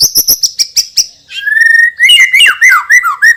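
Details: White-rumped shama, champion singer with a loud, strong voice, opening with a rapid series of sharp high ticks, then a steady whistled trill and a run of varied slurred whistles.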